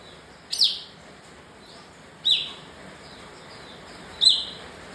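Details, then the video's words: Bar-winged prinia, known locally as kapas tembak, giving three sharp, high chirps with a quick downward slur, spaced about two seconds apart, over a steady faint hiss. "Kapas tembak emosi"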